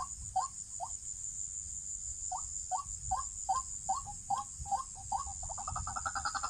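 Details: White-breasted Waterhen, recorded for trapping: short clipped nasal notes repeated about every half second, speeding into a rapid stuttering series at the end, with a constant high-pitched whine behind.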